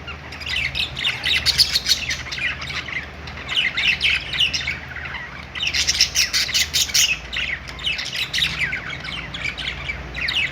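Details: Pet-store budgerigars singing on their perch, waves of dense, raspy chatter and rapid high chirps swelling and fading every couple of seconds, many birds calling at once over a faint hum.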